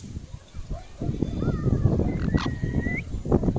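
A rose-ringed parakeet talks in a low, speech-like jumble, broken by a thin whistle that rises near the end, over a steady background rumble.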